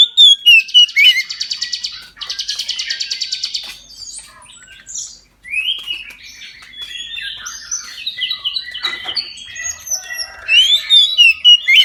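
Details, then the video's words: Oriental magpie-robin in full song at midday, used to prompt other magpie-robins to sing: fast rattling buzzy trills, then a varied rush of sharp whistles, chirps and mimicked-sounding notes, clear and loud throughout. "KACER NGEPLONG SIANG HARI COCOK UNTUK PANCINGAN KACER AGAR NGEPLONG DAN RAJIN BUNYI"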